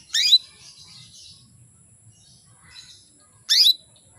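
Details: Female canary calling to rouse males: two short sharp chirps about three seconds apart, with faint soft twittering between them and a quiet low background.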